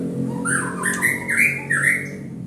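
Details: Bright whistled phrases from a white-rumped shama lure song used to make other birds sing, notes slurring up and down in quick succession over faint low hum.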